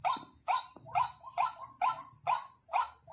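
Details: ['White-breasted waterhen decoy call: loud, clipped, upslurred croaks repeated evenly, roughly twice a second, seven notes in a row with faint background hum.']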